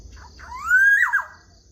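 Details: Morning song of a black-naped oriole: one clear, mellow whistle rising smoothly, peaking, then dropping in a short slurred tail, with faint softer notes before it and a low steady hum beneath.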